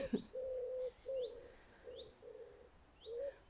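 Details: Doves cooing outdoors on a sunny walk through grass with flowers and falling dry leaves; steady, flat, low hooted notes about half a second long, repeated in a loose series, with thin rising chirps from another bird above.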